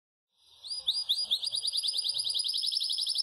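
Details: Yellow Belgian canary delivering loud campainha song. A few rising slurred whistles open the phrase, then a long, quick, even trill of high repeated notes follows.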